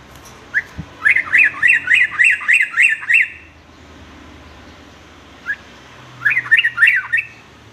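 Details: Sooty-headed bulbul song meant for teaching young males varied singing: one short note, then a fast string of about eight rising-falling whistled phrases, silence, and a later burst of three or four more.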